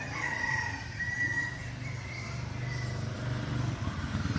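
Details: Seven-month-old red junglefowl decoy rooster, a frequent crower, from Bình Phước, Vietnam, giving a short high crow in two or three drawn-out phrases over a loud, low rumbling engine.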